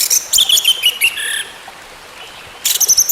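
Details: Orange-headed thrush song for therapy, to bring a silent bird back into song. Quick, twittering high notes in a short run, a long pause, then another high burst.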